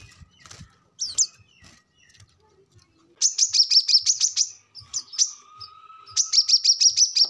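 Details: Brown-throated sunbird song used to train captive birds: rapid series of high thin buzzy notes repeated about three per second in two bursts, with scattered chirps and a faint low whistle between.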